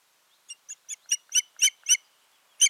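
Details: Osprey pair at the nest on 14 June 2019, in a season when breeding failed after the male vanished in May; a run of about eight sharp, whistled, ringing notes, growing louder, roughly four a second, then one more after a pause.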